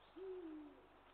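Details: Eurasian eagle-owl, recorded 20 March 2023: a single low, mellow hoot lasting about half a second, level at first then dipping slightly at the end, over faint steady background hiss.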